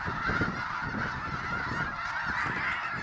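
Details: A startled flock of more than 20,000 snow geese sweeps low over a refuge; steady raucous honking from countless birds, layered over heavy whooshing and flapping of wings.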